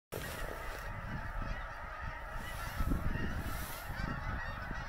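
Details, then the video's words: Geese at sunset at Blackwater in 2020, a flock giving dense, overlapping nasal honks continuously, with low rumbling wind or handling noise underneath. "Blackwater geese at sunset"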